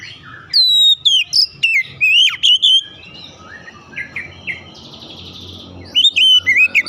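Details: Song of an Oriental magpie-robin, played to stir other magpie-robins into singing. Bright whistled phrases with abrupt up-and-down slurs come in bursts. A softer buzzy twitter fills a pause before loud whistling resumes, over a faint low hum.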